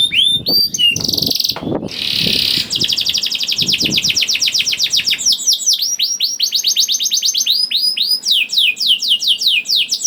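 A canary sings a long, rapid song of high rolling trills and sweeping whistled notes, phrases changing every second or two, with a brief harsh burst early on.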